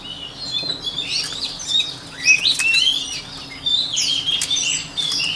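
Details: Song of a white-rumped shama, played for voice training: a steady flow of clear whistles, trills and sharp slurred notes, rising to a louder cluster in the middle and continuing without a long break.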